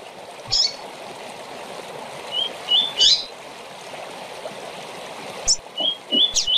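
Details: Double-collared seedeater singing a short tournament song: sparse rising whistled notes mixed with sharp high chips, partly softer, heard through steady running-water hiss.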